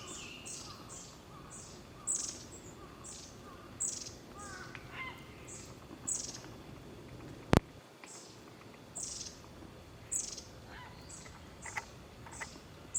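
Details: Long-tailed tits on 21 May 2022 give a steady series of very high, thin, piercing notes, several per second at times, alongside scattered lower twitters, with one sharp knock midway.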